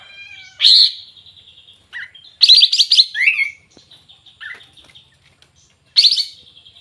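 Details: Sooty-headed bulbul in energetic song: a loud burry note, a quick stuttering trill ending in a falling whistle, short low chirps, and a final burst over a faint continuous high tone.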